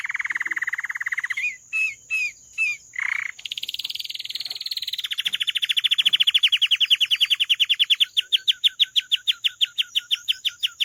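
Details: Singing canary: a low buzzy roll, a few short chirps, then an extended high rolling trill that slowly slows and breaks into separate crisp repeated notes.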